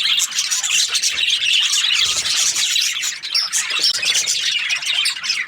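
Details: Busy chorus of Australian budgies, many scratchy chirps, squeaks and warbled notes layered over one another into an unbroken high-pitched babble, with brief sharper squawks standing out now and then.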